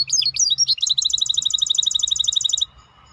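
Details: Maestro bird sings several quick swooping high notes, then a fast, steady rolling trill of bright repeated notes that stops abruptly, leaving quiet.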